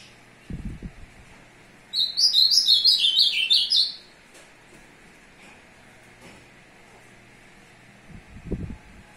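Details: Male azulão courting a female on 02/06/2022 sings a single rapid phrase of sweet, slurred whistles that tumble lower over about two seconds. Dull low bumps come before and after.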